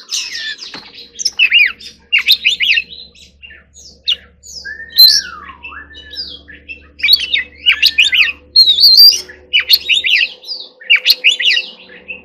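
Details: Oriental magpie-robin in training giving a forest-style song: bursts of rapid chirping notes, a long low slurred whistle dipping down, and repeated high trilled phrases, with a faint steady hum behind.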